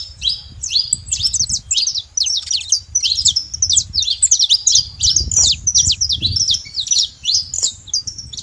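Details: Saffron finch flock in the wild at a feeding spot; continuous high chattering of overlapping tweets and short slurs from several birds, steady throughout, with low background noise.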